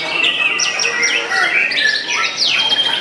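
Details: White-rumped shama singing in a contest: rich, varied phrases of clear whistles and quick slurred notes, some rising and falling, overlapping densely with little pause, with other birdsong around.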